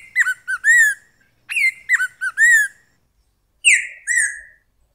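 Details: Golden-billed saltator singing: two short bursts of clear whistled notes, each a few quick slurred whistles ending in a longer downward-bending note, then a separate loud falling whistle after a pause.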